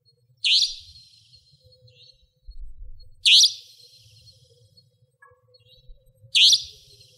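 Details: At night in Pingtung County, Taiwan, a Savanna nightjar repeats a harsh, buzzy high note three times, about every three seconds, with a soft low rumble in the background.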